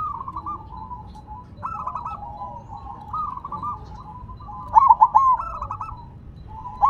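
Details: Silver zebra dove on the ground in full song, soft trilled cooing phrases building to a loud burst of quick bubbling notes near the end, with another phrase starting just as it closes.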